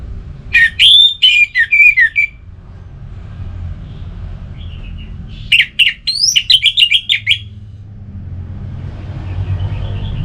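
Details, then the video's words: Orange-headed thrush in relaxed song, with two bursts of quick chirping and slurred whistles about five seconds apart, separated and followed by quieter stretches with a low background hum. "Anis Merah Bunyi Santai"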